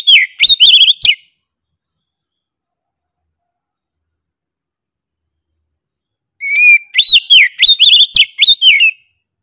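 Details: Oriental magpie-robin in persistent 'gacor' singing: a short run of loud looping whistles, a five-second silence, then a fresh phrase of a level whistle followed by rapid arched, sweeping notes.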